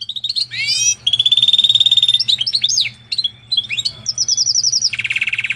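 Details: Singing canary x Portuguese goldfinch hybrid: an upward-sweeping note, then a long even rolling trill, choppy twittered notes and a closing fast trill ending in a buzzy burst, above a soft low hum.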